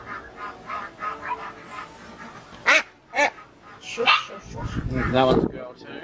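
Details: An 8-week-old female domestic duckling, handled while being sexed and leg-ringed, gives a few loud, harsh, angry quacks in short bursts, a sign she is female, while a person talks throughout.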